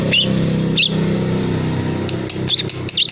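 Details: Young long-tailed shrike, three months old, tail feathers pulled yet still calling: short harsh chirps at irregular intervals over a steady low engine-like hum.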